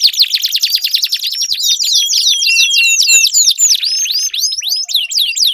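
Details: Canary singing to trigger song in a silent canary. Dense, high trilled phrases of fast repeated syllables are interwoven with looping whistled notes, with faint clicks in the background.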